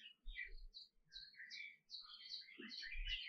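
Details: Canary twittering in quick, separate chirps and short phrases, some high and thin and others lower and slurred. The phrases come closer together toward the end, with faint low knocks underneath.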